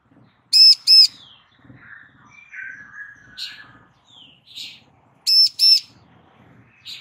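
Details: A female bar-winged prinia calls for a male to answer, with two paired bursts of loud buzzy notes about five seconds apart, separated by soft slurred whistles and chips from other birds.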